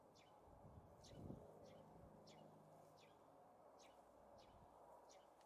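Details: A flock of about thirty Asian rosy finches feeding on Amur cork tree fruit in March 2024 give short, high chirping calls, roughly one or two each second, over a steady roar of strong wind.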